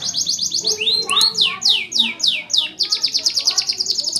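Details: Full song of a pet canary, kept for training young canaries: quick high chips, then a series of loud rising-falling swoops about every quarter second, ending in a fast steady trill.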